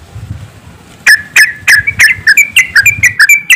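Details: Yellow-vented bulbuls in a group, rapid 'ropelan' style singing used as a lure to get birds to sing quickly; after a second of low hum, bubbly whistled notes start, repeated several times a second in a lively chatter.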